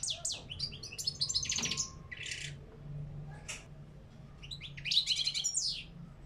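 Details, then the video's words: Caged parva European goldfinch singing wild song rich in batbata and sitsita phrases; rapid chattering and trilled twitters in several bursts, with a quieter gap in the middle and faint hum underneath. "غناء طائر الحسون في القفص بتبتة و ستستة"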